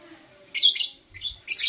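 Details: Harsh, shrill chirps from blue opaline and parblue euwing opaline lovebirds in the morning: a loud scratchy burst, a softer second one, then a third, each under half a second.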